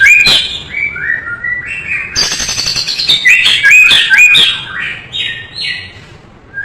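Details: White-rumped shama (murai batu) in a master recording for songbird training, full of rich fill-in phrases: varied clear whistles, falling and rising slurred notes, and sharp chirps at mid to high pitch, with a dense burst of buzzy clicks near the middle.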